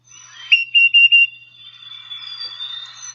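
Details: Tufted Titmouse field-guide recording of its variable 'Peter, Peter, Peter' pattern song: four clear, loud whistled notes in quick succession, then a fainter, longer high whistle trailing off.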